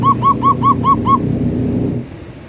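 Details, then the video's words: Zebra dove, locally perkutut, singing in the manggung style: six soft, rounded cooing notes evenly spaced about every fifth of a second, then quiet with low background hum. "Suara Burung Perkutut Manggung || Zebra Dove"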